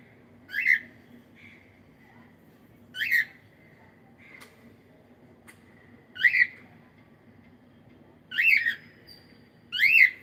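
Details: Cockatiel in the morning giving single loud whistled calls, each a short rising-falling note, repeated roughly every two seconds over a soft low hum.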